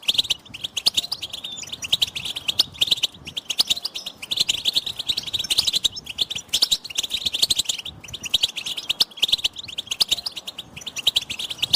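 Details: Several European goldfinches chattering together as stimulation for males to sing: a steady stream of high, rapid twitters and buzzy trills, rising and falling in loudness over many seconds.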